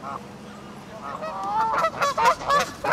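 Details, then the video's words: Loud, rapid honking from Canada geese in Herten castle park, Germany, with harsh overlapping nasal calls quickening in the second half. "Kanadagänse im Hertener Schlosspark"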